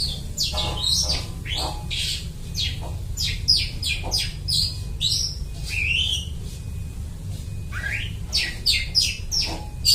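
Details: Singing long-tailed shrike copying other birds, kept as a lure: a varied medley of sharp chirps, rising and falling whistles and scratchy notes, lively and irregular, with low background hum.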